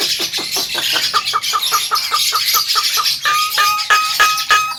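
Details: Javan myna in full, vigorous song, a recording meant as a training master for other birds: fast, clipped notes repeated about three times a second, ending in steady whistled tones, over a busy background of high chirping.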